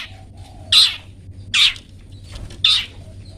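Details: Long-tailed shrike recorded as a singing model for pet birds: three short, rasping, buzzy calls roughly a second apart over a quiet, humming background.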